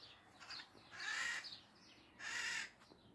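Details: Maritaca parrots giving two loud, harsh, raspy screeches, each about half a second long and spaced roughly a second apart, with faint softer squawks between them and a quiet background.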